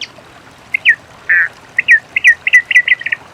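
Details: Rufous-collared sparrow singing in nature, giving slurred whistled notes, one longer buzzy note, then an accelerating series of short trilled notes.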